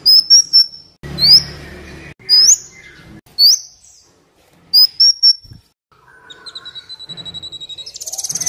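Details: Black Sunbird training song for captive birds, also a lure for wild ones; crisp high upslurred chirps in pairs and triplets, then a softer thin whistle and a rising buzzy pulsed trill.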